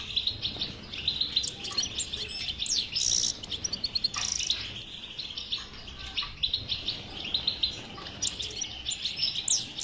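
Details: European goldfinch song of the twittering type, used to stimulate a silent goldfinch to sing: continuous fast, high, tinkling chatter with sharp buzzy bursts, steady throughout against a noisy background hiss.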